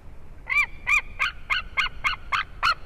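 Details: White-tailed eagle, nest with an eaglet, Durbe, Latvia, 13 August, live nest camera: nine harsh, clipped yelping notes in a steady, fairly quick series, about three per second, over faint background hiss.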